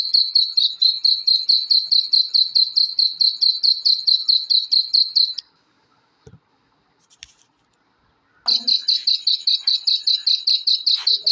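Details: Black francolin (kala teetar) chicks: fast, regular high-pitched peeping, about four or five notes per second, then a pause of about three seconds with faint clicks and handling noise, then the peeping starts again at the same pace.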